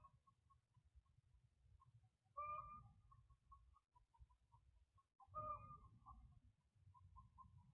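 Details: Nighttime chickens at 11 p.m., Independence, Missouri, March 3, 2023, on a security camera; soft repeated tuk notes broken by two louder, rising squawks a few seconds apart, over steady low background noise.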